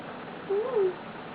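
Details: Male eclectus parrot kept indoors as a pet, lying on its owner contentedly, utters one soft whistled note that rises gently then falls, under half a second long.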